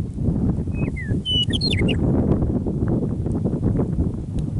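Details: Early spring evening after winter on the prairie near Michichi Dam, Drumheller, Alberta, Canada: a meadowlark gives two clear, slurred descending whistles, then a rapid gurgling, flute-like warble, over steady low wind rumble.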